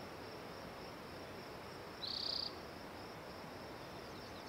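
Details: Spotted towhee singing: a single short, buzzy trill lasting about half a second, high and fairly even in pitch. It stands out over a steady, hissing background.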